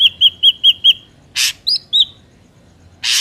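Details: Trapping lure of an Ashy drongo: five rapid high whistles, then a harsh rasp, two upward-sliding whistled notes and another rasping burst.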